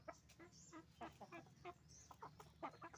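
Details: Roosters and hens on a chicken farm making noise: a busy overlapping chorus of short, clipped clucks and squawks coming in quick irregular bursts, with higher chirps scattered above.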